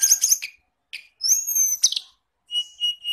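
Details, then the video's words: Songbird lure song used to train caged kacer, cendet, murai and tledekan: a harsh chattering burst, then a long high whistled phrase with a lower slurred note, a rasp, and steady thin whistles after short pauses. "masteran pancingan burung kacer cendet murai tldekan"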